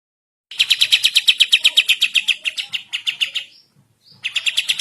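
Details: Sooty-headed bulbul in an energetic morning song of the kapas tembak style, used as a master recording: a rapid run of about twenty-five bright, sharp repeated notes, fading slightly, a short pause, then a fresh burst.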